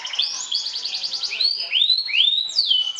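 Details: Trilling canary, a champion bird singing 'sobek-sobek' style to rile up rival birds, opens with a rapid, rattling high trill, then delivers several bright rising slurred whistles in quick succession.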